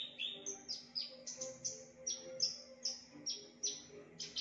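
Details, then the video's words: Javan bush lark with a strikingly varied mimicking song, loud and clear: about eleven high whistled notes, each flicking up and holding steady, repeated at regular short intervals over a soft background hum. "BRANJANGAN UNIK Suara aneh pariatif volume dahsyat"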